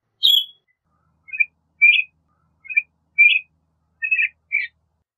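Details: Northern Shrike singing: a sharp opening chirp, then a halting series of short whistled and warbled notes, each about a fifth of a second, roughly twice a second.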